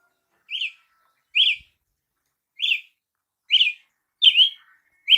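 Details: Brazilian tanager giving a series of six sharp, rising-falling chip notes at uneven intervals of about one second, clean and close, with a soft lower twitter near the end.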